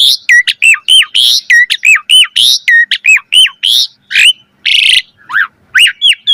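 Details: Asian pied starling song used to train other songbirds, repeating a hooked whistled note with sharp upper clicks about every half second, then harsh buzzy bursts and lower falling notes.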